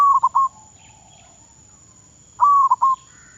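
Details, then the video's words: Zebra dove decoy bird in Thailand, in training: two clear cooing phrases near the start and end, each a short held note breaking into quick stuttered notes, with silence between. "Baru Bela jar mengenal burung perkutut..Thailand ฝึกซ้อมนกต่อเขาชวา เพื่อนไทยและมาเลเซีย รับฟังเสียง"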